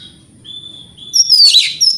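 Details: Provocation song of a white-rumped shama: a drawn-out level whistle followed by a loud, harsh, buzzy burst, with low background hum.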